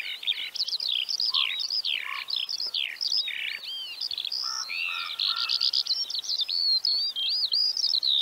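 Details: Central Russian Eurasian Skylark delivering a dense, nonstop torrent of high warbled notes, sweeping slurs and chattering trills, with occasional lower chirps woven through the song.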